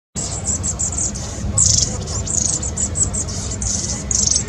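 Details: Long-tailed tits squabbling among flock mates, recorded 26 April 2021: bursts of high, thin, buzzy calls come in short groups, louder clusters near the middle and end, over low rumbling background noise.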